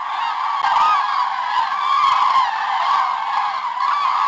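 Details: Morning departure of a large common crane flock at Hortobágy, Hungary, 24 October 2010: a dense, unbroken chorus of loud, rolling trumpeting calls, no single bird standing out.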